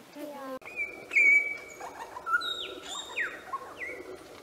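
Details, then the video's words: Lyrebird, a bird that imitates the human voice, chainsaws and other sounds, giving clear whistled notes: a long level tone, then higher slurred whistles and sharp downward sweeps, with a faint low murmur underneath. "AVE LIRA,pajaro,imitando voz humana,sonidos,motosierra"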